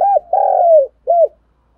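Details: Morning cooing of a spotted dove, a recording used for training decoy birds: a short arched hoot, a long rough drawn-out coo, then one final clipped arched note, in otherwise quiet surroundings.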